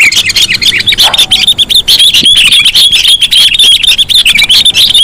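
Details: Sooty-headed bulbul calls meant as a lure for other bulbuls: a continuous, energetic stream of quick high chirps and squeaky chattering notes, several birds overlapping, with thin whistled slurs woven through.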